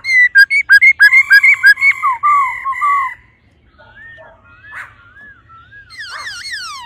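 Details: A female laughingthrush calls 'ro ro' to rouse a male: a fast series of short repeated whistled notes, about three per second, followed by softer looping whistles and a final burst of sweeping notes.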